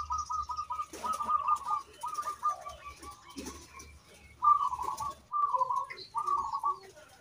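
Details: A local zebra dove in full song, used as a lure bird, gives rapid, rolling coos around the same mid pitch in bursts of about a second, with faint clicks and rustling in the background.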